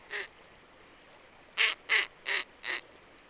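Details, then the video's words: A disturbed snowy owl barks instead of hooting, giving harsh, raspy notes: one, a pause, then four in quick succession at about three per second. "And here are some more sounds that snowy owls make."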